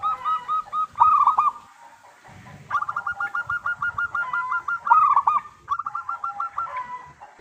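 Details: Local-strain zebra dove singing briskly, kept as a lure to prompt other doves to answer. Runs of fast, staccato mellow notes alternate with fuller rolling coos, repeating through the recording, with faint low noise behind.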